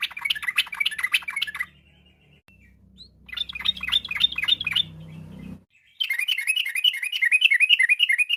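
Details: Lure song of a yellow-vented bulbul recorded in the afternoon: rapid, rolling bubbly phrases, then a steady rhythmic run of repeated notes, with a low hum under the middle part.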